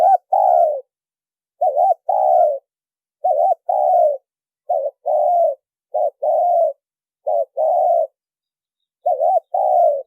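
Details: Clean lure call of a spotted dove: repeated two-part cooing, a quick quavering hiccup then a longer mellow descending coo, about seven phrases with short gaps.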